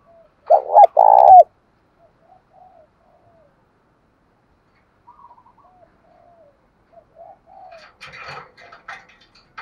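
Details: Spotted dove, male and female calls, played to spur captive doves into calling: two loud, harsh, distorted low coos open, then soft scattered low cooing notes, with a burst of chirpy, scratchy sounds near the end.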